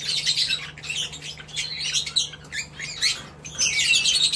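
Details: Northern red bishop (Euplectes franciscanus), song: high, sizzling, buzzy chatter in rapid bursts of wheezy twitters, almost without pause, over a faint low hum.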